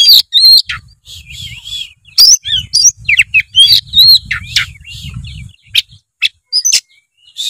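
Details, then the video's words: Lively Oriental magpie-robin song for luring a lazy young bird into singing: dense high whistles, wavering slurs and sharp chips, over a low rumbling hum in the background through the middle. "suara kacer gacor ngeplong pancingan kacer malas trotol menjadi gacor"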